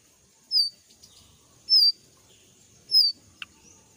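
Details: A young forest jongkangan, moulting, gives three thin, high, slightly falling whistles, spaced about a second apart, over a faint background murmur.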